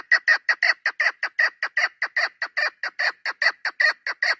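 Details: Recorded 3 May 2025, a hunting decoy hen chukar delivers a loud, fast, regular series of hoarse chuck notes, roughly three each second, without break.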